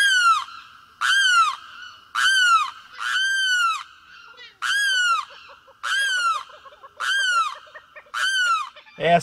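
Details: A Limpkin in Brazil gives eight loud, harsh wailing cries, each falling in pitch and repeated roughly once a second, with a soft clucking between them.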